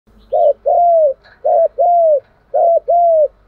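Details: Spotted dove calls used to train decoy birds: three paired phrases, each a short arched coo followed by a longer falling coo, repeated about once a second, clear and loud with a quiet background.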